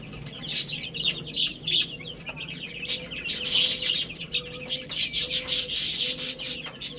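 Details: Chicks eating and playing, with shrill, busy peeping throughout and a lower, short tone repeated roughly every second beneath the chorus.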